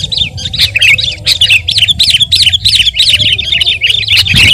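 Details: Sooty-headed bulbul, a vigorous singer used as a lure song: evenly spaced bright, slurred chirps repeated steadily, about three each second.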